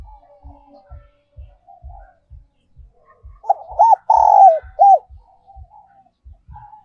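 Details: Spotted dove decoy song, 'còi' ('kim') voice style. After soft low murmuring, one loud phrase of hooked coos and a long buzzy-edged note sounds midway. Steady low knocks repeat about twice per second throughout.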